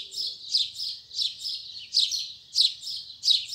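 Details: Double-collared seedeater singing its firm 'tui tui zel zel' song style in the morning: high buzzy, slurred notes repeated roughly every two-thirds of a second, steady and even, with a quiet background.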